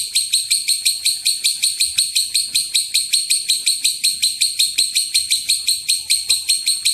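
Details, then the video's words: Long 'ngekek' chatter of a lovebird, played to draw other lovebirds into calling; scratchy high notes pulse evenly at nearly three per second throughout, with almost no other sound behind. "Pancingan suara lovebird ngekek panjang"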